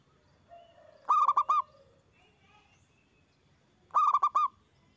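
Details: Zebra dove (perkutut), a loud-singing local bird used as a lure to prompt other doves to answer. Two bursts of four or five rapid, rounded cooing notes, about three seconds apart, with faint soft background calls between them.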